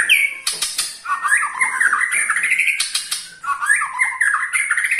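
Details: White-rumped shama giving a ketrekan call meant to set other shamas singing: harsh, raspy rattling notes that climb in short repeated phrases, with sharp clicks and a high thin hiss above.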